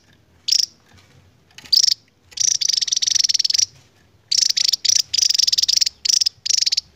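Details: A Javan tesia, a Javan endemic with a surprisingly long song for its small size, gives high, rapid buzzy trills in bursts of about one second, some short and some longer, with brief pauses between.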